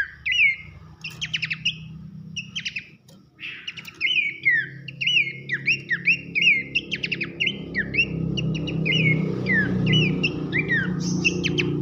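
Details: Masteran of Horsfield's babbler, pelanduk semak, for tutoring contest birds: a steady string of sharp downward whistles alternating with dry rattling bursts, set over a noticeable low droning background noise.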